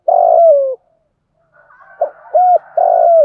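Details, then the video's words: Spotted dove used as a decoy, cooing to draw in wild birds. One long, deep coo slides slightly downward. After a pause come soft short notes, then a clipped coo and another long drawn-out coo. "chim cu gáy mồi thúc gù kích bổi hiệu quả/ tiếng chim cu gáy bài bản gáy gọi một hậu"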